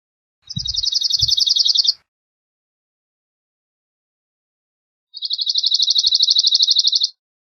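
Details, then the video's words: Cirl bunting song: a pair of dry, insect-like rattles of fast repeated notes, each about one and a half to two seconds long, separated by a three-second pause, with faint low knocks early on. "Cirl Bunting Singing, Cirl Bunting Calling, Chirping, Sound -Escribano Soteño Canto- Emberiza Cirlus"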